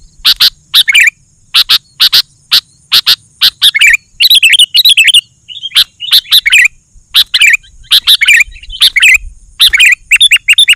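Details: Sooty-headed bulbul in lively song, used to call wild bulbuls and train caged ones: quick pairs and clusters of sharp chirps alternating with busy, jumbled warbling phrases, a faint hiss underneath.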